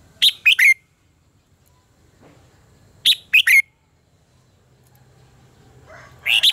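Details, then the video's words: Singing-contest phrases of a red-whiskered bulbul used to train birds: a three-note, whistle-ended phrase repeated about every three seconds, with a third starting at the close over faint background hiss. "luyện giọng cho chào mào hót hay - căng lửa, chào mào hót quá phê"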